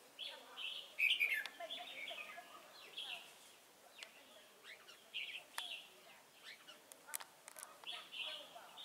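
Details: At a Chùa Hương trap on 28 November 2017, a red-whiskered bulbul used as a decoy sings scattered short chirpy phrases among sharp clicks and rustling, with one louder warbled burst early on.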